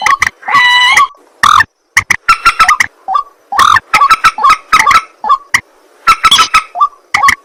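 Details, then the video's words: At night a white-breasted waterhen opens with a long, drawn nasal wail, followed by scattered harsh croaks and rising twangy notes in irregular bursts. "ruak ruak mandar batu mp3 2 suara burung malam hari"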